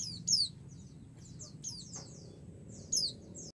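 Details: A female white-eye calls to draw an answer from the male. Three bright, high downslurred chirps come at roughly 1.3-second intervals over quieter, continuous thin twittering.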